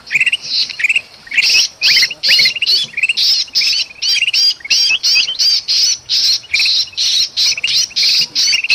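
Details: Golden bulbul giving noisy, excited calls meant to lure forest birds, Sumatra; rapid harsh chattering phrases follow one another nearly without pause, steady and loud throughout.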